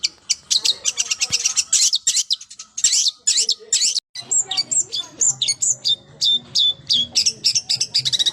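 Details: Long-tailed shrike delivering dense 'gacor full isian' song: a rapid, scratchy stream of high chattering notes, then a brief pause, then clearer whistled and slurred phrases repeated quickly.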